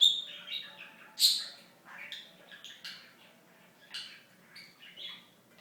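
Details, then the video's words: Pet talking budgerigar, kept 2007 to 2016, chattering in high, scratchy, warbled bursts with sharp squeaky peaks, uneven phrases spread across a few seconds, and faint room hum underneath. "The Talking Budgie"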